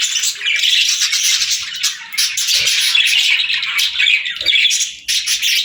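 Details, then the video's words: Continuous high, scratchy warbling and chirping from pet parakeets at play, dense and unbroken apart from a short dip near the end. "Parakeets Playing, Singing & Talking | Relaxing Chirping Sounds"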